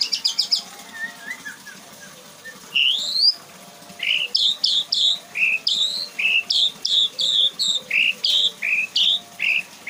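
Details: White-rumped shama singing with mimicked phrases: clear whistled and slurred notes, then a fast repeated pattern of rising, bright chirps paired every half second or so, over a faint low hum.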